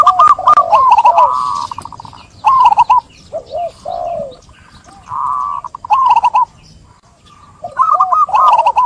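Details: Zebra dove song used to coax a reluctant bird into singing, with overlapping rolling, staccato coo phrases that rise and fall, some long and some clipped, with brief silent gaps between them.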